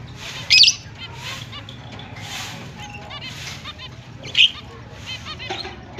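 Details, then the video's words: Finches beginning their mating season on October 29, 2023 give soft, nasal, honking chirps in quick series, broken by two sudden sharp, loud squeaks and airy rushing noise. "Finch is breeding start Mating Season, Happy chirping sound"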